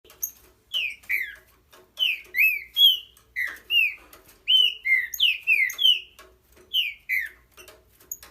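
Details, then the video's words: Green-winged saltator singing a fast series of clear whistled notes, many slurring downward, delivered in quick clusters with short pauses and faint clicking in the background. "TRINCA QUANDO TÁ ASSIM É PAULADA"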